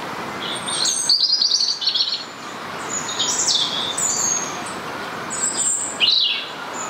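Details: Shrill screeches of a ring-necked parakeet, Psittacula krameri, living in Stanley Park, Blackpool: clustered harsh notes early on, then separated squawks with a final loud rising shriek, light traffic-like hum behind.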